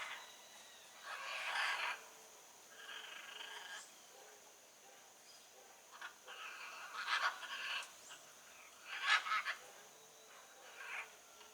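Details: Harsh, drawn-out raspy screeches from a blue-and-yellow macaw in natural surroundings, coming in separate bouts a few seconds apart, with a constant thin high hum behind.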